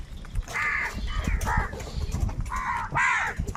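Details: Crows squabbling for food: a short series of coarse, grating caws, some in quick pairs, against low background rumble.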